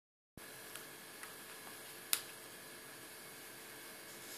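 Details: Quiet indoor room with a faint hum and a few soft clicks, and no animal voice.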